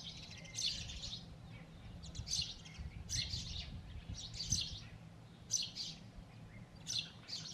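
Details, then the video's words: Sparrows chirping at the nest, a male among two females: loud, harsh chirps in short bursts roughly every second, with a faint low rumble underneath. "Loud Birds Chirping Sound | Sparrows Chirping on Nest"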